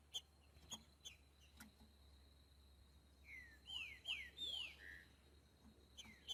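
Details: Green-winged saltator in the wild singing a boiadeiro-style song: a quick burst of loud, downward-slurred whistles, with scattered short chips before and after and a constant high-pitched whine in the background.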